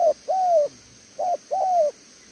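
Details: Spotted dove kept as a decoy, praised for its voice, cooing "thổ tở đèo lò xo": a long falling coo, then a short clipped note and another long drawn coo, with faint high hum behind.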